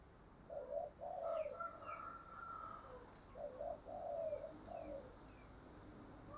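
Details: Spotted dove decoy uttering the 'chìm' coo for dove training, faint and distant under steady hiss and background noise. Several short coo notes in small groups. Thin high chirps from other birds cross the recording.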